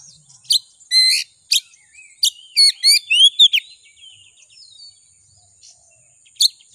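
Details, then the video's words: White-rumped shama song played to provoke a caged kacer into singing: sharp chips, quick upslurred whistles and a short run of rising notes, with a steady high electronic tone in the background. "Suara Pancingan Kacer Agar Cepat Emosi Gacor"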